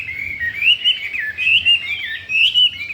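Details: Chinese hwamei, recently brought home and keen to breed, pouring out smooth looping whistles that rise and dip in quick succession, several louder clear notes standing out within three seconds.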